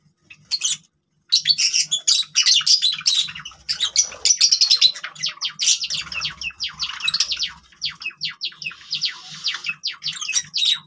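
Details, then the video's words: Java sparrow song from captive birds: a sustained, rapid rattle of clicking notes blending into bell-like chirps and trilled phrases, almost continuous over the whole stretch. "java sparrows sound"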